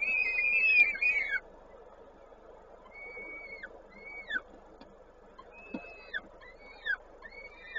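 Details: At a Koszalin, Poland nest on 19 May 2022, a peregrine falcon feeding. One long, loud, wavering whine opens, followed by sparse short downslurred whistled notes with pauses, over a low constant hum.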